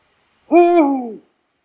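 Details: Deep single call of a Eurasian eagle-owl, recorded in Poland, rich and resonant, holding steady before sagging lower and trailing off; quiet background throughout.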